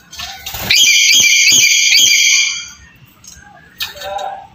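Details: Black-capped lory, recorded as a lure to make a quiet bird call: a single long, grating, harmonic screech of about two seconds, then faint softer notes.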